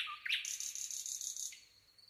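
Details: Nightingale song: a short rising note, then a rapid high trill of even repeated pulses lasting about a second, fading to a faint thin whistle.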